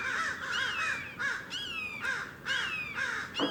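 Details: A flock of crows in a California backyard in the morning gives loud, harsh caws, about two or three a second in ragged bursts, mobbing and threatening a perched red-tailed hawk.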